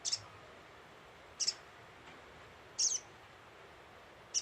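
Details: Scarlet-headed flowerpecker lure call, loud and very high, clipped double chips repeated about every 1.4 seconds, sounded four times.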